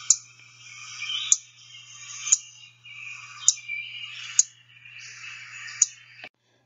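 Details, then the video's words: Blue-winged Warbler alarm chip, practically identical to the Golden-winged Warbler's: six sharp, very high chips about a second apart, over a steady hiss and a faint low hum. "also important to note the blue winged warbler alarm chip is exactly the same as the golden wing warbler for our purposes"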